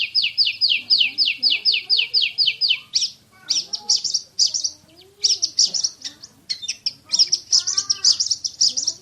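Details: Champion Oriental magpie-robin (kacer) opens with a quick run of repeated descending whistles in 'tembakan' shooting style, then breaks into varied, bursty high phrases separated by short pauses.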